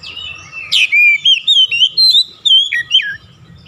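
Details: Oriental magpie-robin (kacer) singing as a lure meant to prompt other magpie-robins to join in, with a loud run of clear whistled and slurred notes, about two a second, some swooping down sharply.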